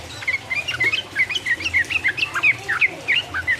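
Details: Sooty-headed bulbul, in energetic 'ropel uplik uplik' song used to excite rival birds: a steady stream of brisk, bouncing whistled notes, rising and falling, roughly four to five per second throughout.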